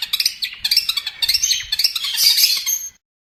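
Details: Long-tailed shrike singing as a master song for bird training: a fast, dense, scratchy chatter of high notes that builds steadily and then stops abruptly.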